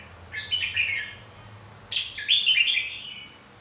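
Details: Red-whiskered bulbul singing a fighting song meant to provoke singing: two bursts of rapid, liquid, warbling notes, the second longer and louder, over a faint low rumble.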